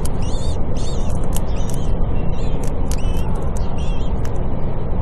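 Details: At a Cairo university building nest, a female common kestrel feeds chicks that have just hatched; short high, slightly bending calls come in pairs, mixed with sharp clicks over a low rumble.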